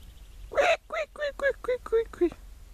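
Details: Red-legged seriemas singing on a road in the São José neighbourhood of Conselheiro Lafaiete, Minas Gerais, Brazil: a quick run of seven loud, harsh yelps, each a little lower than the last, about a quarter-second apart.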